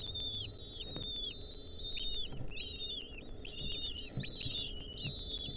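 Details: Wild lesser kestrel nestlings with a centipede clinging to them, 2023: high, thin whistled notes with bright overtones, held briefly and repeated in quick irregular runs, some notes bending slightly, over a faint low background hum.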